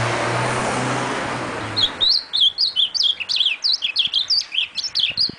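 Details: Ultramarine grosbeak song: after two seconds of loud rushing noise, a quick series of bright, high, twisting notes follows, about four per second, continuing to the end.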